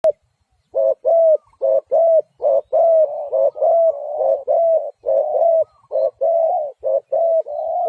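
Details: Spotted dove giving a dense, fast run of short, mellow mid-pitched coos, some slightly rising then falling, packed almost back to back for eight seconds, with no other sounds around them.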